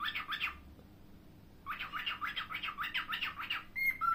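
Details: Pet cockatiel giving harsh, raspy squawks: a short burst of three grating calls, a pause, then a rapid run of about eight rough notes, ending with two thin, level whistled tones.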